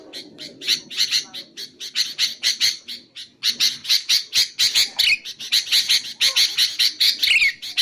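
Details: Sooty-headed bulbul, used for luring wild bulbuls: quick series of scratchy, squawking notes about two per second, a short pause near the middle, then a denser run with a few higher rising notes.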